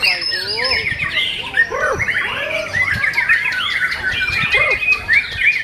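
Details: White-rumped shama in a cage at a singing contest, giving rich rising and falling whistled phrases mixed with quick chattering notes and slurred squeaks, layered over other birds singing nearby.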